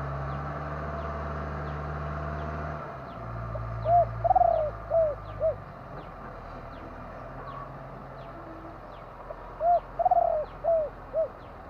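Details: Two spotted dove coo phrases about six seconds apart, each a short hoot, a rolling, vibrating coo and two descending notes. Regular faint high ticks and a low engine-like drone are heard behind them.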